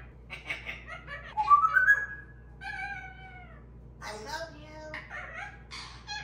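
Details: Three pet parrots in a playful exchange, one interrupting the other two: clear whistled slurs and gliding tonal notes mixed with harsh squawks and scolding chatter, with a steady low hum underneath.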